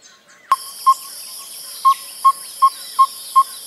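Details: Yellow-rumped Tinkerbird: a series of low, hollow, even pok notes around two or three per second, broken into short bursts rather than a steady run, its rhythm likened to an African hoopoe, unlike the monotonous calls of yellow-fronted and red-fronted tinkerbirds.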